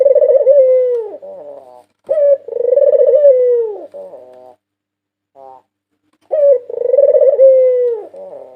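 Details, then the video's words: A 2022 national champion white ringneck dove recorded for luring birds: three rolling coos, each with a clipped start and a falling finish, separated by soft buzzy phrases and a silent pause. "Masteran burung puter putih juara nasional 2022 merdu dan ampuh untuk pancingan"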